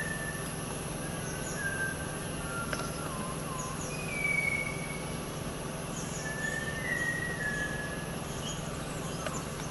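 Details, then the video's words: Malabar whistling thrush (Myophonus horsfieldii) in Panchgani–Mahabaleshwar, Western Ghats, Maharashtra, gives rambling, slurred whistles, some rising and some falling, at an unhurried pace, with thin chips from other birds and a steady low hum behind. "Malabar Whistling Thrush"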